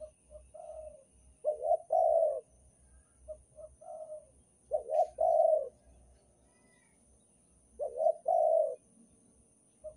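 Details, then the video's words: Spotted dove, Banten-style lure call used to draw in other birds: low mellow coos in phrases of a few short notes rising into a drawn-out throaty coo, repeated about every three seconds, with a faint low rumble beneath. "suara pikat derkuku banten super ampuh untuk pancingan"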